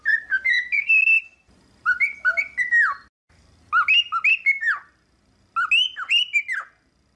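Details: Cockatiel kept at home, singing repeated phrases of paired whistles that rise then swoop downward, four phrases in all with short gaps between them.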